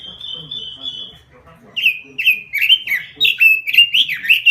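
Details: Robin described as a gacor, or lively frequent singer: a long steady high whistle held about one and a half seconds, then a run of loud, rapid, warbled phrases that swoop up and down, over a faint low murmur.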